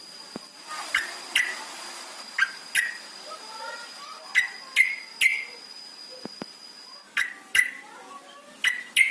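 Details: Yellow-vented bulbul lure recording meant to prompt caged birds to sing: scattered sharp, downslurred chirps spaced irregularly over a hissy background, with a faint constant high tone in the first part.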